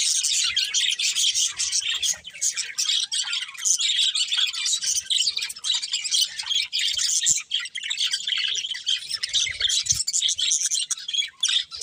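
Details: A flock of budgies keeps up nonstop bright chirping and warbling, many overlapping high squeaky notes with short dips in volume.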